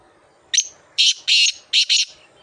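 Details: Black francolin (kala teetar) in Sindh, Pakistan, giving a loud, harsh call: one short scratchy note followed by a quick run of four grating, buzzy notes in about one and a half seconds. The background is quiet.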